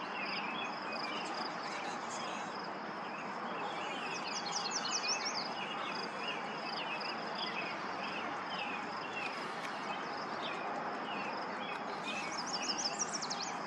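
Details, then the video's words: Yellow Warbler singing a quick, high, sweet phrase of clipped notes twice, about eight seconds apart, over loud steady background noise and scattered chirps; Lauritzen Gardens, Douglas County, Nebraska, 28 May 2024. "Yellow Warbler singing"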